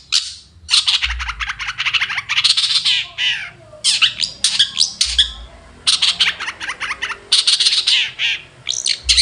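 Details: A long-tailed shrike sings at morning with loud, grating chatter, clusters of rapid harsh rasping notes broken by short gaps over nine seconds, and faint low thumps in the background.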